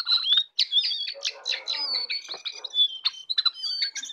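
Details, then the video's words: Morning song of a jongkangan: dense, fast chattering phrases of whistled and scratchy high notes, nearly continuous, with a short gap near the start. "jongkangan ocehan di pagi hari"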